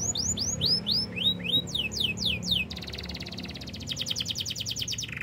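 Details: Canary singing to train other canaries: repeated falling whistled slurs in quick succession, followed by a long fast pulsing trill across high pitches, with faint low background hum.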